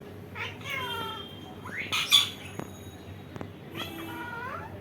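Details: Indian ringneck parakeet indoors giving drawn-out harmonic calls that bend downward, a sharp squawk near the middle, then another falling, nasal call at the end over a steady low hum.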